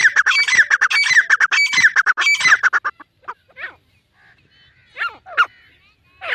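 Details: Grey francolin pair calling: a dense burst of harsh, squawking notes for three seconds, then scattered short squeaky calls with gaps of silence between them.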